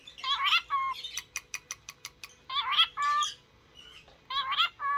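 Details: Cockatiel kept as a pet and trained to sing: raspy squawking chatter in three bursts, with a quick series of sharp clicks between them and a faint steady hum underneath.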